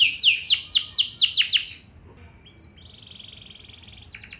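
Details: Lure song of a canary meant to set other canaries singing: a burst of loud sweeping trill notes, then softer thin whistles and a level buzzy trill, ending with a rapid stuttering phrase.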